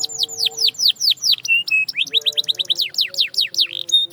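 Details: Canary song used to stimulate silent canaries to sing: series of rapid downward-sweeping whistles, a couple of steady pure notes, then quicker rising slurs and sweeps.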